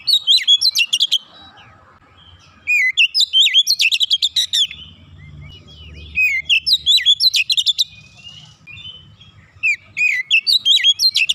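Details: Training song of Oriental magpie-robin in 'nembak rapat' style for an unschooled bird: four loud bursts of fast high whistles, swoops and chattering stutters, each about two seconds long, separated by brief gaps with faint low background noise.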